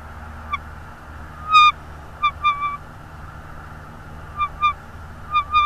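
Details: Bald eagle nest in Northeast Florida, 24 January 2022 late afternoon: scattered high, squeaky whistled chirps, a sharp loud note, then paired and tripled chirps with pauses between, over a low steady hum.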